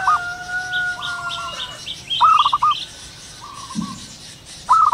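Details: Zebra dove in the wild at morning, giving stuttering cooing phrases of a rising note and rapid clipped coos, one loud and others softer from farther birds, while other birds whistle long steady tones and high chirps.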